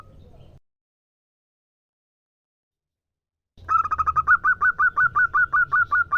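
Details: Local zebra dove, a female calling a male; after about three seconds of silence a rapid stuttering burst of short cooing notes at mid pitch slows into a steady string of evenly spaced, clipped coos, with low background rumble.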